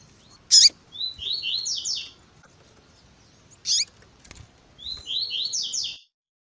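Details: Double-collared seedeater in the tui tui zel zel song style, with female chirps in an edited recording: sharp bright chirps alternate with descending groups of slurred whistled notes, the phrase given twice.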